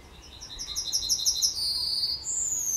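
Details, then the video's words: At the edge of Kabaty forest, a Yellowhammer sings a rapid string of seven or eight bright, high repeated notes. These lead into a long sustained note, then a second long, rising tone, with faint low rumble behind. "Trznadel śpiewa na skraju lasu Kabackiego"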